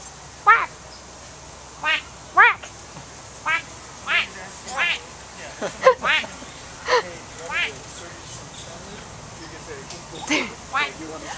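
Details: White-bellied go-away-birds at San Diego Zoo on 10 February 2010 give a string of nasal, bleating 'waa' or 'what' calls, roughly one per second, while people talk and laugh in the background.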